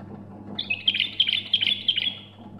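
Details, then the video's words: A bulbul named Ward sings a quick, bubbling two-second phrase of bright, fluty notes, described as five trill phrases ("tak janah"), over a faint, steady low hum. "5 تشريعات(طك جنح) بلبل طور"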